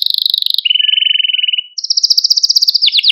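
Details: Male Maltese canary singing to stimulate other canaries: a fast high trill, then a lower rolling trill, then a bright rapid trill of sharp repeated notes.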